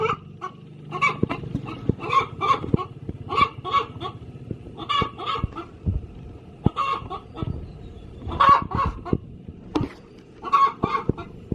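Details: Laying hen calling in her coop before an egg, giving spaced harsh clucks in pairs and short runs, with low rumbling background and occasional clicks.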